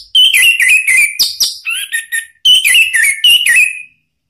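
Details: Nearly continuous Orange-headed thrush song, offered to bring a silent or stalled thrush back into song: rapid, varied whistles, chirps and slurred notes, broken by one brief pause midway.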